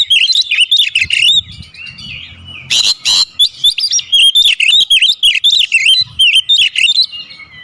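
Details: Oriental magpie-robin (kacer) singing a full isian training song: a rapid string of short, sharply slurred whistles and chirps, repeated several times a second, with a brief harsh burst near the middle.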